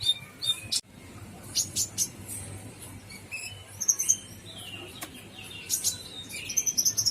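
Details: Brown-throated sunbird, singing gacor full isian: short high chirps and thin whistled slurs, a couple of sharp clicks, and a quick glittering trill of tiny notes, over a quiet background.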